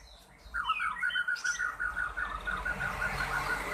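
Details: Cucak pantai delivering a steady series of clear, evenly spaced piping notes at one pitch, repeated several times a second, over low background rumble.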